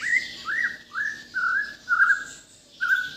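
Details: Bornean white-rumped shama from Kalimantan singing a series of short, mid-pitched slurred whistles, each rising then falling, spaced roughly every half second with brief gaps.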